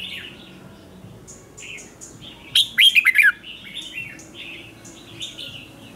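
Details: Red-whiskered bulbul, a bird trained for morning and contest singing, gives one short burst of loud, quick warbled notes midway through. Softer chirps come before and after it over a quiet background.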